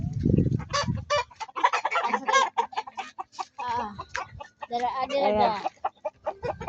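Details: On a farm, several Rhode Island Red hens (Gallus gallus domesticus) cluck in quick, choppy bursts of short nasal notes, their calls overlapping, while a man talks nearby.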